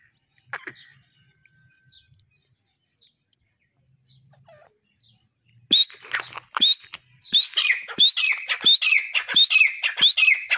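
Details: Native desi partridge. Several seconds are near-silent with only a few faint clicks, then a burst of loud, shrill whistled notes follows. These build into a rapid, dense, repeated series of rising calls.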